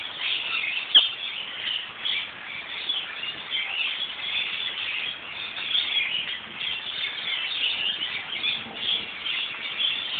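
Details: Lorikeet flock gathered high in a gum tree in a central city location in Australia during light rain, heard more than seen, keeping up continuous shrill, screechy overlapping squeals and chirps, with one sharper screech near the start.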